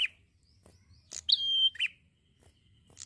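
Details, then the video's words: Energetic prinia song: a lower note, a short high burst, then a clear level whistle sliding into a rough lower note, followed by quiet with faint chips and low background hum. "PRENJAK GACOR SANTAI"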